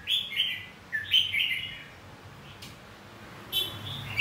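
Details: Brief stretch of red-whiskered bulbul fighting song, aimed at getting other birds to sing: a few quick whistled notes, a pause, then one more short phrase.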